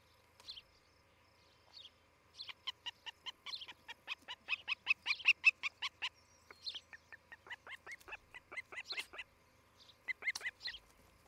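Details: Osprey at a nest in Charlo, Montana, where a newly arrived pair is building a nest; rapid series of sharp, whistled chirps about 2.5 per second, swelling in volume then breaking into scattered bursts.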